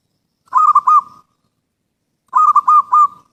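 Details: Perkutut, the zebra dove, singing a lure song: two identical phrases about two seconds apart, each a rapid run of three or four rolling, purring coos at one steady pitch, with silence between.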